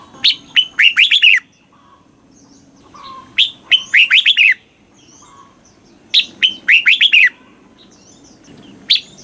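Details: Red-whiskered bulbul kept in a cage in Thailand, singing its southern master-style phrases meant to rouse caged birds and train young ones: a loud, chattering burst of whistled syllables repeated about every three seconds.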